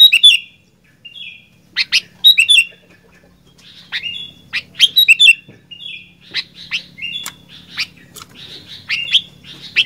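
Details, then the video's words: Sooty-headed bulbul singing fighter-style: short whistled slurs and sharp chirps in uneven bursts, growing busier toward the end over a faint low hum. "Kicauan Kutilang Gacor Fighter"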